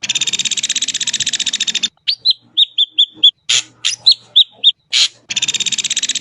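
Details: Ashy drongo singing: a long harsh, rapidly pulsed buzzy rattle, then a series of short clear whistled notes at even pitch with sharp broadband chips between them, and a second buzzy rattle at the end.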